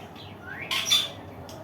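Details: Indian ringneck parakeet squawking. A faint rising whine leads into one loud, harsh, noisy squawk lasting under half a second, followed by a brief softer rasp, with quiet room noise behind.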